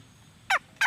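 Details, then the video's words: Red junglefowl hen giving brief, raspy squawks. One full note is followed by a second that is cut off at the end. "suab poj Qaib see"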